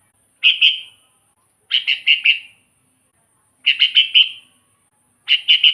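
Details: Sooty-headed bulbul song recorded for luring and trapping wild bulbuls and for tutoring caged birds that rarely sing: four bursts of two to four quick, bright chattering notes at uneven intervals. The background is quiet.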